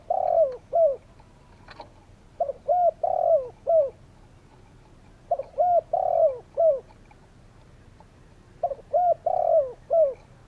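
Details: Spotted doves calling: three series of low coos, each a quick run of short notes with a longer drawn coo in the middle, spaced about three seconds apart.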